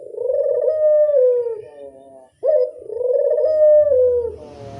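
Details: Barbary dove lure call: two long, steady mid-pitched coos, each sliding slightly downward and lasting about two seconds, with a short pause between them and a faint hiss at the close.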